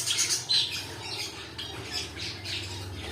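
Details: Rapid, grating squawks from pet cockatiels, loudest at the start, then a series of softer rasping calls, over a faint low hum.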